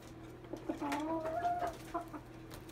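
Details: Red junglefowl, a wild bird set against a domestic chicken: one drawn-out, tonal crow-like call lasting about a second, with stacked harmonics that hold steady and then fall away. A constant low mechanical hum runs underneath.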